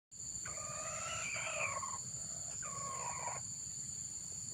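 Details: Red junglefowl crow used to lure wild junglefowl: a harmonic, slightly hoarse crowing phrase of about one and a half seconds, then a shorter second phrase, over a steady high-pitched insect-like hum and broad background hiss.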